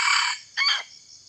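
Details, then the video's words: A village chicken rooster crows nearby, possibly in an oil palm plantation near where a wild junglefowl was lured: a short, harsh crow in two strained bursts, the first longer, with a brief gap between them. "Ayam kampung. Kedengaran kokoknya situ, ayam kampung ada juga."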